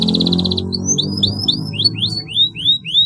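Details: Canary song used to prompt other canaries to sing: a brief buzzy trill, then a string of about eight clear rising whistled notes, over a low droning background.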